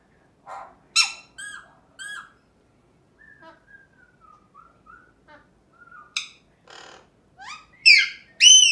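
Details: Pet male Alexandrine parakeet singing and talking indoors, a varied string of whistled notes, level fluting phrases and rising slurs mixed with harsh squawky bursts, louder toward the end.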